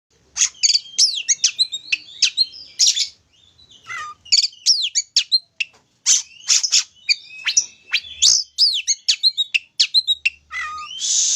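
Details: Oriental magpie-robin song meant to provoke another bird into singing: fast, varied high whistles and sharp chirps, some sweeping down and others up, delivered in busy bursts with brief pauses and a long buzzy note near the end.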